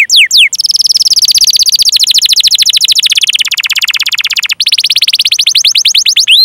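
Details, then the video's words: Canary song meant to prompt other canaries to sing: a long unbroken rolling trill of very fast repeated high notes, dropping slightly in pitch then rising again, opening and ending with sweeping whistles. "Masteran Suara Burung Kenari Gacor Panjang cuit cuit Ngerol untuk Pancingan Kenari!"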